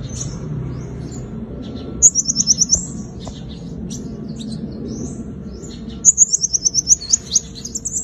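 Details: Sunbird (five-coloured) giving its combative lure song: scattered high chips, then two bright, rapid trills of clipped, repeated notes about four seconds apart, set against steady low background noise.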